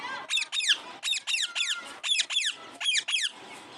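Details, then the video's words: A parrot gives harsh, high squawks in quick paired bursts, roughly eight notes over four seconds, with a faint background hum. "Parrot sound || natural parrot sound"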